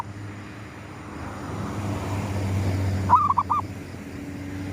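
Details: One zebra dove phrase at sunrise in gedong mengo lure style, arriving after a few seconds of low droning noise: a bright upslurred coo dissolving into several quick bouncing notes.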